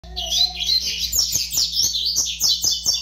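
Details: Young double-collared seedeater, five months old, singing a fast, scratchy run of high twittering and buzzy notes packed together without pause, with a steady low electrical hum underneath.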